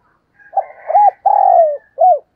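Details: Spotted dove decoy call meant to bring wild doves in: a soft lead-in, a rounded coo, a long descending coo and a short final coo. Faint higher chirping runs beneath.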